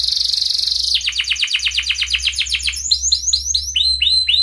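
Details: Canary in breeding condition calling a rival, used as a lure for young canaries learning to sing: a high steady whistle, then a rapid trill of descending sweeps, slowing into broader, looping downward notes.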